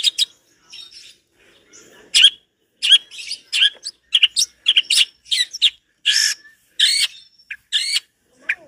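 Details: Long-tailed shrike delivering lively, rich song material: a scattered run of varied harsh chirps, rasping notes and short squeaky phrases at irregular intervals, growing denser toward the end, with a clean quiet background.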